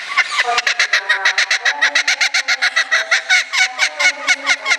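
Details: Captive laughing kookaburra at a Kakegawa bird park in Japan, calling in response to a loudspeaker closing announcement; rapid series of harsh, staccato cackling notes, about a dozen evenly spaced hoots per second in a loud laughing burst.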